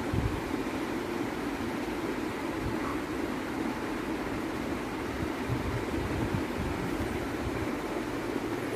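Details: Steady broadband rumble and hiss, like a passing train or running machinery, holds evenly throughout with no animal calls.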